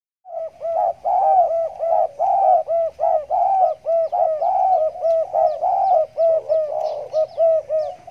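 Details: Caged spotted dove with a stuttering 'gagap' style of cooing, from the Riau Islands, singing in a hanging cage right after bathing. It gives a steady, rapid string of low, hollow coos, about two per second, running without a break.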